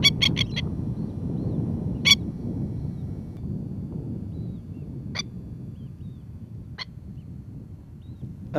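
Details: A masked lapwing (spurwing plover) mother, off her ground nest in Australia with newly hatched chicks, gives harsh, sharp kek warning calls: a quick burst of four, then single calls every one to three seconds, over low rumbling noise.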